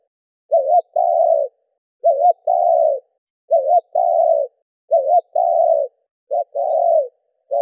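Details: Spotted dove cooing in the 'đảo nước' style, used to stir captive doves to respond: a short double note then a longer even coo, the pair repeated about every one and a half seconds, faint high squeaks between.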